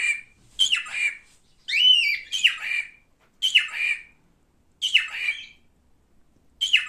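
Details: Pet male cockatiel repeating loud raspy downslurred squawks roughly once a second, with one clearer arched whistled note among them.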